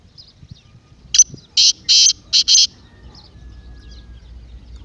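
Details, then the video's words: Partridge call meant to excite a quiet partridge into calling: five loud, harsh, rasping notes packed into about one and a half seconds, with faint chirping of small birds before and after. "تیتر کی مستی والی آواز"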